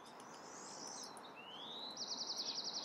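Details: A California towhee in a Sierra foothills backyard, California, on 10 April, gives a thin rising note, then a quick run of about eight high, sharp chips in under a second, over steady background hiss.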